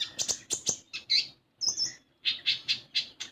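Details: Common iora chirping to prompt a young bird to start singing: rhythmic pairs of bright high chirps, a short pause with a thin high whistle, then a steady run of repeated chirps.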